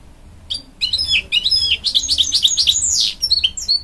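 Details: Canary and goldfinch hybrid singing to urge on young chicks, a rapid, high, twittering run of slurred chirps and trills, about two or three notes a second, that carries on without pause after a short silent start.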